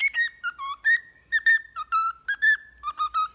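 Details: Whistled cockatiel training tune for a pet: a near-continuous chain of clear notes stepping up and down, some held briefly, with a low hum underneath.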